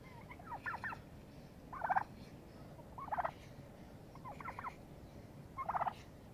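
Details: Fighting turkeys establishing dominance repeat rapid rattling, trilled bursts, five in all, spaced roughly every second, alternating softer and louder ones over a low background hum.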